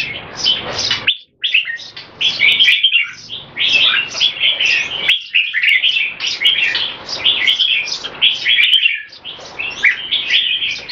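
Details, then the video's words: Olympian-class caged red-whiskered bulbul, known locally as jambul, performing a speed action display with keke. It gives a long, dense run of fast, warbling, chirpy notes with brief gaps, sustained for about eleven seconds. "JAMBUL - OLYMPIAN CLASS - SPEED ACTION DISPLAY & KEKE"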